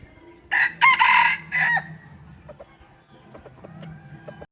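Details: Morning crow of a wild chicken on the first day of Hmong New Year, 15 December 2020: one strong, ringing crow in three linked parts, then quiet background with soft bird chirps and a low hum.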